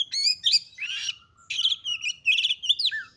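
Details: Female Oriental magpie-robin lure call meant to make males agitated and spread their tails. Dense, loud, scratchy whistled phrases with rising and falling slurs pour out almost continuously.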